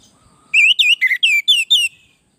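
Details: Lively orange-headed thrush song used as a tutor and lure to prompt other birds to reply: six loud, rich, slurred whistles in quick succession, each swooping up and down, delivered in under two seconds over a near-silent background.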